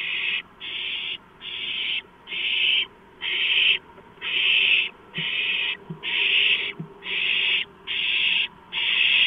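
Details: Owlets clutching at a freshly delivered large rodent on a March 2015 night. Eleven rasping, hissed screeches repeat at a steady pace of roughly one every 0.8 seconds, with faint low knocks between them.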